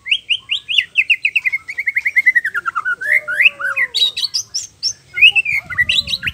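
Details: Caged male white-rumped shama song used to spur other males to sing, a loud varied series of clear whistled notes, first rapid repeated chirps slowly falling in pitch, then sweeping slurs and high bright phrases near the end.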